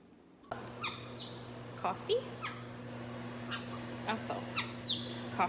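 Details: Pet caique parrot talking at home, calling tea a form of coffee. Several short, sharp, squawky word-like syllables come in bursts, over a steady low hum.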